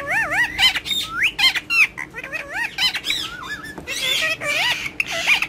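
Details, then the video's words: Rose-ringed parakeet, a pet, talking in Urdu and Hindi while playing with a mobile phone: wavy, warbling speech-like syllables in quick phrases, ending in a harsher, buzzier squawk. "Gorgeous Ringneck Having Fun And Talking With Mobile In Urdu Hindi"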